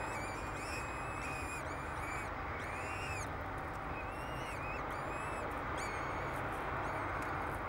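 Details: Two peregrine falcon chicks, hatched 10 May 2007, being fed at a nest on the tower of Derby Cathedral, England; high arched wailing calls repeat in short bursts over a steady background hiss.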